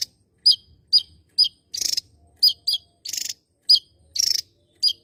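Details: Javan tesia, a Java endemic, singing actively: sharp, clipped, high chip notes repeated about twice a second, interspersed with short, buzzy, pulsed rattles.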